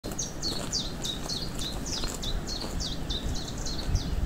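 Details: A common chiffchaff at Notre-Dame-du-Bec, France, on 25 April 2021, gives a steady run of high, clipped, downslurred notes, several per second, alternating slightly in pitch, over a low rumble of wind or distant traffic.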